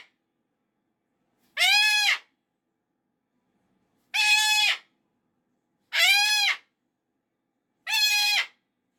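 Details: On a Monday morning, a pet cockatoo upset that the weekend has ended gives four short, raucous screams after a quiet start, the last three coming at about two-second intervals.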